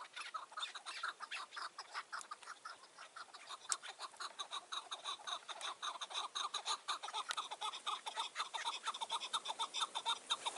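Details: Chukar partridge on a mountain in June 2018 at evening dusk, lingering under a tree near a trap: a steady run of harsh clucking chuk notes, about two per second, continuing throughout over faint background rustle.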